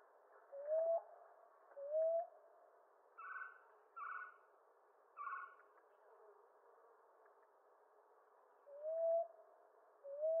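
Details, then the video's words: Common ground dove with low, rising coos at the start and end. In the middle, three brighter, harsher notes from another caller come about a second apart. "Ground Dove Sound"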